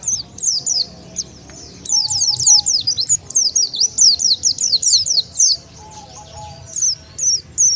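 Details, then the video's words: Lure call of the Oriental white-eye, used to call wild white-eyes together: clusters of sharp, high, slurred chirps in uneven bursts, with a few faint lower whistles. "SUARA PIKAT BURUNG PLECI SANGAT AMPUH,DENGAR SUARA INI BURUNG PLECI LIAR LANGSUNG NGUMPUL"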